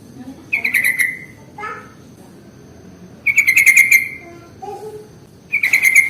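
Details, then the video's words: Sooty-headed bulbul lure recording used to draw bulbuls of any type: three loud bursts of rapid, chattering notes around a buzzy two-tone pitch, separated by pauses, with faint low murmurs between them. "SUARA pancingan paling AMPUH untuk Trucuk jenis apapun"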